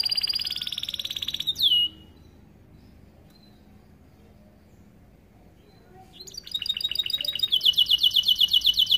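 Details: Starblue canary master song for young canaries: a bright rolling trill ending in a falling note, several seconds of near silence, then a renewed rapid, evenly pulsed high trill.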